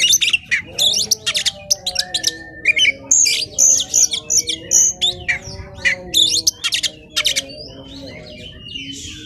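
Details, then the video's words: Oriental magpie-robin song, used as a lure or master for other magpie-robins. It is a mix of harsh, rasping bursts and brief whistled notes delivered in quick clusters with short gaps, over a low steady hum. "Burung Kacer Gacor On Play Bagus Untuk Pancingan, Kompilasi Kacer Gacor"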